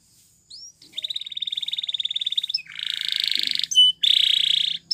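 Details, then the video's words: Canary training song made of long, rapid rolling trills, first a bubbling roll of over a second, then harsher buzzing rolls separated by a single sharp whistle. "Unexpectedly, The Sound Of This Canary Attracted Many Canaries To Song"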